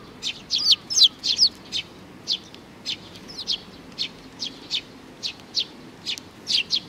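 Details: High, sharp chirps from a young sparrow, June 2019, several quick rising-falling notes bunched at the start, then single and paired chirps repeated about three times a second; soft background hum.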